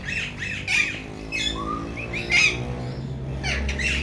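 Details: Male Alexandrine parakeets from a breeder pair, kept as talking parrots. Harsh, raspy squawks come in irregular bursts over a steady low hum, with some softer tonal notes between them.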